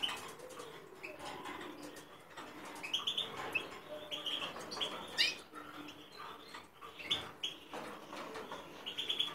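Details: Goldfinch crossed with linnet, recorded 2017, in a long rambling twittering song of quick chips, short trills and clear high whistled notes, delivered in uneven bursts against low background noise.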